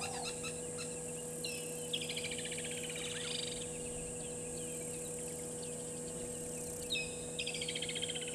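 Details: Several Burchell's starlings in a tree at a waterhole on Djuma Game Reserve, Sabi Sand Wildtuin, South Africa, 15:00, 12/11/2022; two bouts of harsh, rasping, buzzy chatter separated by a quiet spell, with faint background hum.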